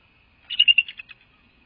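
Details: Female Bald Eagle vocalizing at the nest, filmed by a nest camera in January 2024: a quick burst of about eight high, squeaky chittering notes lasting under a second, with a constant faint whine behind.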